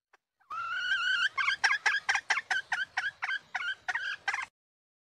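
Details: Wild female red junglefowl: a drawn-out, wavering nasal note, followed by a string of about a dozen short, sharp, broken clucks.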